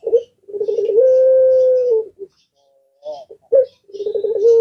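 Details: Collared dove of the puter pelung type, known to set other birds calling back, repeating its low rolling coo that stretches into a long steady tone, then short clipped coos and another rolling phrase beginning.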